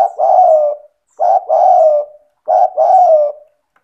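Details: Spotted dove (tekukur) calling steadily, meant to get lazy doves calling: three low, hoarse coos, each a short note followed by a longer throaty purr, about one phrase every 1.3 seconds.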